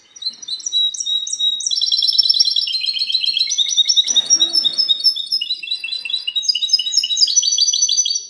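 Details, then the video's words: Long clean-style phrase ('cante limpio') from a goldfinch mule, 19 March 2020: whistled slides, fast rattling trills and varied tinkling runs, with a brief rustle midway. "mixto de jilguero cante limpio"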